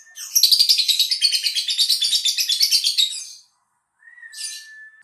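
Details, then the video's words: Lovebird song used as a lure to draw singing replies from other lovebirds: a fast, harsh, buzzy chattering trill of about three seconds, rapidly pulsed, then a short pause, a thin level whistle and a brief rasp. "Pancingan love bird 100% dijamin nyaut"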